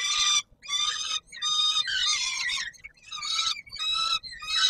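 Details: Evening feed for peregrine falcons on Warsaw's Palace of Culture and Science, 17 July 2022: repeated scratchy, insistent screams, each roughly half a second to a second long, coming in quick succession.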